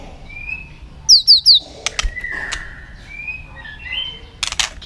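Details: White-rumped shama song used to stimulate other shamas to sing; three bright descending whistled notes in quick succession, soft drawn-out whistles, a few snapping clicks, and a dry rattle at the end.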